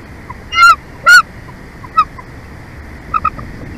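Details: Bald eagles of a breeding pair at their nest in Big Bear Valley, recorded at night by a live nest camera on 15 March 2024: two loud, high, slurred squealing notes, then fainter short chirps, over a steady background hiss.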